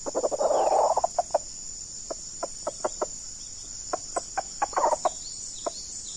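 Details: Red junglefowl, decoy bird facing a very fierce wild male: an opening rough cackle, then sharp single clucks spaced irregularly, another short cackle near the end, with constant high-pitched insect hum.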